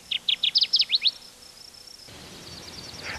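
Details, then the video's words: A male Kirtland's Warbler in young Michigan jack pine forest sings to establish a territory and attract females: a loud, bright burst of about eight quick, emphatic, accelerating notes, then a fainter song over soft hiss. "Like many songbirds the male Kirtland’s Warbler establishes a territory and attracts females by singing."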